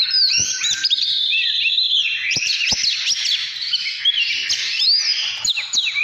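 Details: Oriental magpie-robin singing a loud, continuous song of clear whistled notes, quick rising and falling slurs and sharp upward sweeps, with a few dry clicks underneath and no other sounds.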